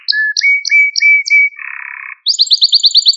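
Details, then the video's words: Malta canary song for training young birds: paired chirps and level whistles, a brief low buzzy rattle, then a quick high trill of downward-sweeping notes. "Süper Bir Malta Kanarya Sesi Ve Ötüşü | Kanarya Huylandırma ve Kızıştırma"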